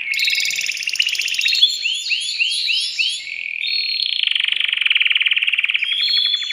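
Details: Male canary in breeding excitement singing for a female: fast buzzy trills and rolling arched notes, ending in a long rapid rattling trill.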